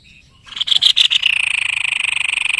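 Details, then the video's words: White-bibbed babbler, kept as a prized master songbird in Indonesia, sings after a short silence: a few loud harsh notes, then a fast steady trill of even pulses, about twenty each second, held to the end. "BURUNG MASTERAN GACOR SEPERTI INI.JENIS TEPUS LEHER PUTIH"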